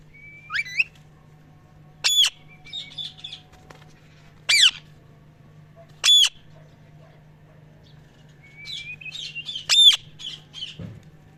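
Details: Parrot making loud, sharp squawks spaced a second or two apart, with scratchy chatter between them and brief rising whistles, against a quiet background with a low hum.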